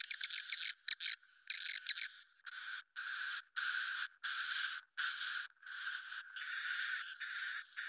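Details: Swiftlets giving a roosting call, high, buzzy twittering chirps in quick bursts, about one or two each second, some with a thin whistled edge. No other sounds are heard.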